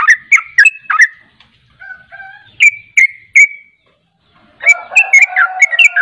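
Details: Sooty-headed bulbul, local name trucukan, singing 'ropel' style: quick bubbly whistled notes, then a few softer slurred phrases and three clear rising whistles, a silent gap, and a dense burst of tumbling notes at the end.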